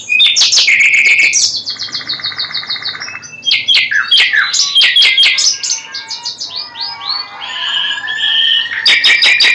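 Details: Dense, nonstop common nightingale song mixing sharp clicks, fast repeated chirps, buzzy trills and sweeping whistles, loud throughout.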